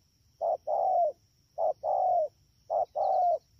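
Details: Wild-caught spotted dove at Dak To, 3/10/2019, giving three rapid coo phrases, each a short note then a longer coo that slides slightly downward, spaced about a second apart over a faint high hum.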